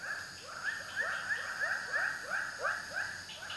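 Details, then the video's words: Rapid series of upward-sliding croaking notes from a white-breasted waterhen (ruak-ruak), spaced a little unevenly at about three per second, set against steady low noise. "suara burung ruak ruak"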